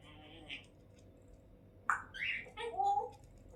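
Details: Pet African grey parrot in a good mood, talking and saying Allahu Akbar and Allah: a brief high note, then a run of voiced, speech-like syllables with shifting tones over about a second and a half, in a quiet setting.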